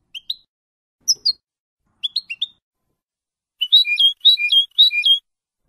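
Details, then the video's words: European goldfinch song for tutoring young birds: sparse short high chirps at first, then three quick repeated liquid twittering phrases in close succession. "CD JILGUERO F.O.C.S.E 30min para educar a jilgueros noveles. Chardonneret Goldfinch"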